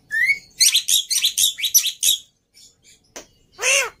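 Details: Agitated fighter black-winged myna, serving as a training model for mute mynas, opens with a rising whistle, then a quick run of rasping chirps, scattered ticks and a final loud harsh squawk.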